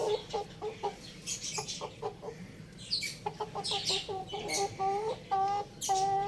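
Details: Little domestic rooster at home giving repeated short clucks about twice a second, ending with longer, drawn-out nasal notes, while bright scratchy chirps and rustles sound in the background.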